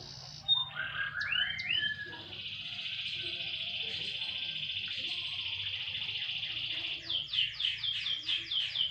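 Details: Sunbathing canary gives a few sweeping whistles, then a long sustained buzzy trill, ending in quick repeated descending notes over a low background hum.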